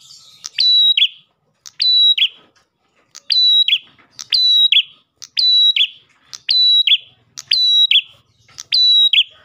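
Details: Lure song of an Ash tailorbird: eight rapid phrases, each a click, a flat shrill whistle and a descending buzzy tail, spaced about a second apart against a quiet background.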